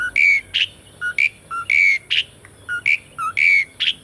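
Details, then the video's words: Real recording of Asian pied starling song, meant to trigger singing in silent birds: clear whistled notes alternating high and low, some long and level, others short, repeated about every half second. "PANCINGAN SUARA BURUNG JALAK SUREN ( TERAPI JALAK MACET BUNYI ATAUPUN JALAK BAHAN )"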